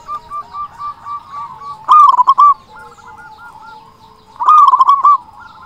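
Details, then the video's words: Zebra Dove song from a loud-voiced local bird, meant to stir quiet doves into singing: soft, evenly spaced cooing notes, broken by two loud rolling bursts of rapid coos, each lasting about half a second. "Perkutut lokal gacor suara besar Pancingan burung perkutut agar cepat bunyi"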